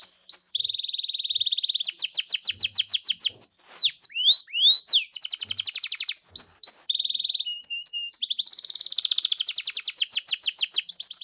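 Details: Canary singing as a lure to make other canaries sing in full: alternating flat whistled tones and rapid trills, bursts of steep slurred notes, clipped chips and a long loud rolling trill at the end.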